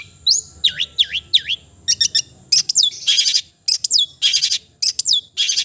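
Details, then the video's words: Varied song of a long-tailed shrike: three dipping V-shaped whistles, quick stuttered ticks, then loud harsh buzzy bursts alternating with sharp downslurred notes, with a constant faint high whine behind. "the melodious sound of the cendet bird"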